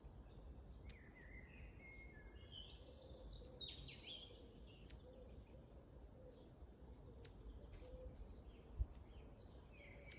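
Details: Grunewald, 20 March 2021: long-tailed tits give high thin calls and short buzzy phrases, with a quick ticking series near the end, while a soft low cooing repeats underneath.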